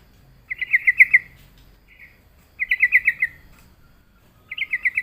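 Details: Sooty-headed bulbul, a reluctant singer lured into answering, gives rapid trilled bursts of about six notes, repeated three times with short pauses; quiet background.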